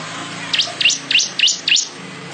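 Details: Weaver song for training songbirds: five sharp down-up chirps, each a quick V-shaped sweep, spaced about a quarter second apart over a low background hum.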